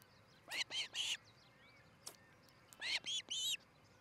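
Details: Ospreys at a treetop nest in Charlo, Montana, nest camera, July 13, 2018, morning: two groups of three loud, harsh, squealing notes, each grouped run lasting about half a second, separated by quiet.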